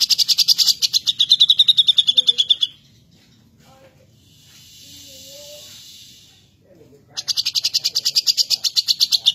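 Grey-cheeked bulbul giving fast, buzzy, high chattering bursts of rapid pulses, each lasting a few seconds, with a faint hiss in the pause between.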